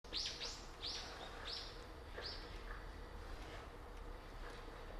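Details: Azure-winged magpies in a winter flock at a park bird sanctuary beside a frozen pond, 10 January 2021: five harsh, rasping high calls in the first two seconds, then only steady low background noise.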